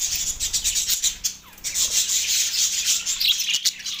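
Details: Budgies in Larkana, Sindh, on March 9, 2024, worked up in the mating season, pouring out dense, scratchy high-pitched chatter and warbling with no breaks.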